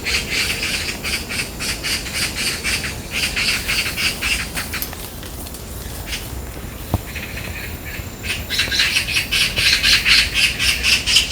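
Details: Magpies in a territorial fight, recorded on 14 August 2024 during a barefoot walk on a hill in a cool breeze: harsh, rapid rattling chatter at about four notes a second, fading mid-clip, then bursting out again loudly.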